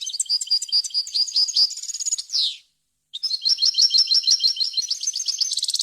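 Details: Varied song of a European goldfinch, offered as a clean model for young birds: a long stream of bright, fast twittering notes ending in a descending buzz, a short silence, then another sustained run of ringing, rhythmic trills.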